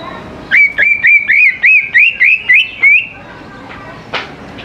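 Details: Lure song of a greater green leafbird for young birds: about ten bright rising whistles repeated rapidly at an even pace for nearly three seconds, followed by quiet, with one faint chirp.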